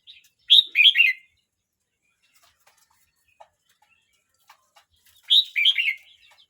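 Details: Red-whiskered bulbul, a young bird aged 12 months 29 days, sings two loud, bubbly whistled phrases of quick rising and falling notes, spaced about five seconds apart, with near silence between them.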